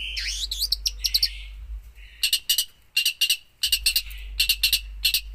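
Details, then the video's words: Long-tailed shrike (cendet) singing vigorously in a 'full isian' style, a song packed with fill-in phrases. Loud, harsh chattering bursts come in quick clusters with short pauses between them. A low steady hum runs underneath. "cendet gacor full isian"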